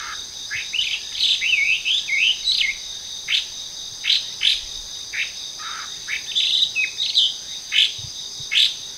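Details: A Chinese hwamei sings in trees in a park in Japan: a rich, varied run of loud whistled phrases rising and falling, over a steady high insect drone.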